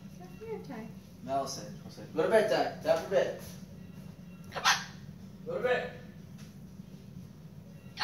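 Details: A talking pet cockatoo gives a few short, raspy, speech-like bursts over several seconds at bedtime, very late at night, while a person tells him to go to bed; he sometimes covers himself when tired.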